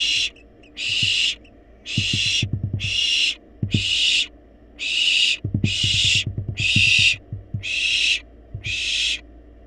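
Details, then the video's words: Wild barn owl chicks in a monitored nest box, already well fed, still demanding food: harsh, hissing snore-like bursts repeated about once a second, with soft low knocks and scuffling sounds in between. "Barn Owls Baby Playfully Demand Food Despite Being Well-Fed!"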